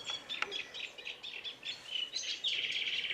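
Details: Cetti's warbler, known in Sardinian as izaghe or rusinzolu de riu, ending in a loud, sudden burst of rapid, repeated high notes after scattered chirps from several other birds.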